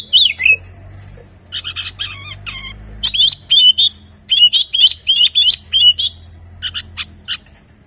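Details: Oriental magpie-robin song for starting a quiet bird's singing: repeated short whistles and scratchy chirps in regular bursts about every half second, fading toward the end, faint hum behind.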